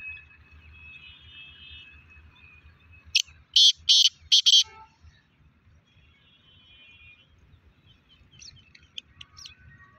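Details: Black francolin calling: a quick cluster of four loud, harsh, grating bursts in mid-clip, with faint high chirps near the end and a soft low hum throughout.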